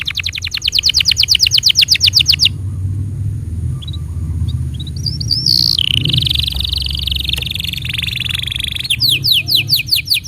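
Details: Canary singing as a model for young canaries and a prompt for silent ones: rapid rhythmic descending chips, a quiet gap with soft low background noise, a rising buzzy trill, then the chip series again.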